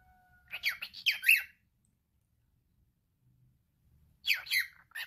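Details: Pet male cockatiel talking in rough, chattering bursts: a string of scratchy speech-like syllables, a silent pause, then another short raspy phrase, with a faint steady tone at the very start.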